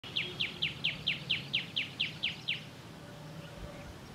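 A common tailorbird gives a quick series of ten sharp, high, down-slurred notes, about four a second, over a low background hum.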